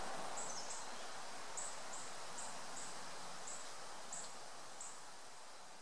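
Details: Adult male calliope hummingbird, a rare vagrant, at High Springs, Florida, on 17 January 2014 at 1:32 pm gives thin, very high chips, about one a second, over a steady hiss of wind and leaves.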